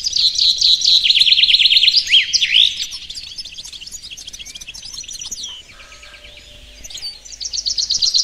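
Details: Goldfinch mule hybrid singing a long, fast song: rapid high rattling trills and twittering notes, a quieter softer passage in the middle, then another bright buzzing trill at the end.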